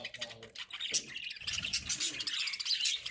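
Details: Lovebirds kept for breeding twitter continuously in a dense, shrill, sizzling chorus of rapid high chirps.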